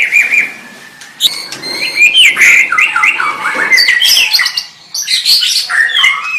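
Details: White-rumped shama song of rapid, varied phrases: whistled slides, sharp chattering notes and harsher bursts run together, with short pauses between groups.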